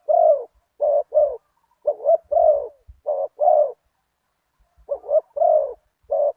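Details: Spotted dove cooing in a Thai cooing contest, valued for its deep voice: loud, hollow coos in clusters of two or three notes, with short pauses between phrases and faint low thumps in the background.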